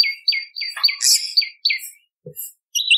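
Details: Bar-winged prinia voice used for luring birds: a quick series of sharp notes dropping in pitch, broken by a brief dense high chatter, a pause, then a short buzzy phrase.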